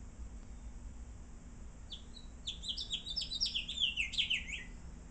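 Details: A House Finch, which sings every morning and all through the day, gives a rapid, jumbled warble of bright, slurred notes lasting about three seconds, over a low background hum.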